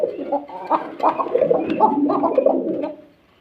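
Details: Several farm pigeons in Bhawal Mirzapur, Gazipur, Bangladesh, giving dense, overlapping low burbling coos in quick succession, fading out near the end.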